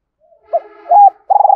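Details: Spotted dove used as a lure, singing the 'thổ pha thúc' style. A brief fragment with a faint lead-in, a short hoot, a longer coo, then the start of a pulsing, throaty coo.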